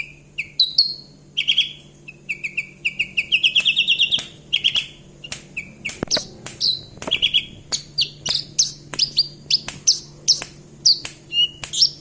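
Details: Javan bush lark kept in a cage in Kediri, singing energetically: varied high whistled notes, trills and sharp chirps in a long continuous stream, over a steady low hum.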